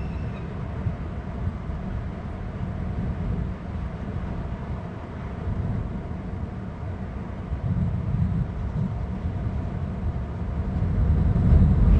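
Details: Steady low rumbling noise like wind or distant traffic fills the recording, growing slightly louder toward the end, with no clear animal calls.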